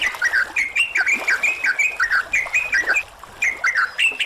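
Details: Training track of yellow-vented bulbuls intended to get caged birds singing: dense run of quick warbled chirps and bubbly slurred whistles, clustered in short phrases repeated near once per second, with a brief pause near the end.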